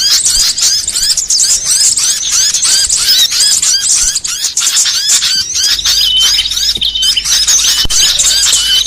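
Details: Burcil song variations for training songbirds. Shrill, repeated hooked chirps run in fast series, then shift to clearer, level, high whistles mixed with twittering in the second half.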